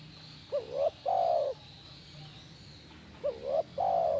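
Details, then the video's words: Calls of a spotted dove, played so a caged spotted dove will answer: two phrases, each made of two brief, upturned notes and then a drawn-out, gently falling coo, with a quiet pause between them. "Pasti Nyaut Burung Tekukur Anda Dengan Terapi SUARA BURUNG TEKUKUR INI"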